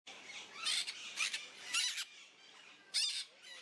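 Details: Peach-fronted parakeet recorded close up, giving harsh, grating squawks in short bursts, about five across a few seconds, with softer raspy chatter between them and no other clear sounds.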